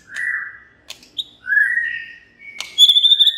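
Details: White-rumped shama singing to provoke other shamas into song: long whistled notes near the middle register, a brief high note, a rising slur, then a rapid rattling trill of high ringing notes at the end.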